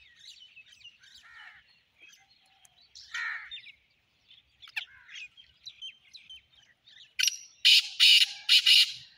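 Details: Black francolin giving its harsh call after several seconds of faint, mixed chirps and squeaks from other birds; near the end come four loud rasping bursts in quick succession, grating and broad in tone.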